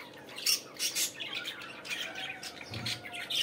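Budgerigars chatter in a busy, scratchy warble of high squawks and chirps, with louder bursts about every half second.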